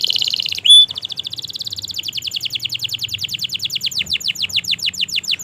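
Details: Gacor canary pouring out a long, non-stop song used as a training recording to coax stuck, silent canaries and young birds into answering: high, fast rolling trills of repeated notes that break into slower, spaced chips toward the end.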